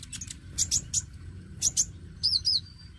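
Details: Oriental magpie-robin song aimed at stimulating young birds: high sharp doubled chips in small groups, followed by two quick wavering whistled phrases, with a low background hum throughout.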